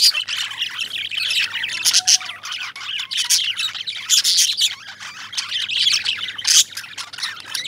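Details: Indian lovebirds chirping as a flock: dense, overlapping high chatter and squeaky tweets keep going without pause, with louder bursts of shrill twittering every second or so and a faint low hum underneath.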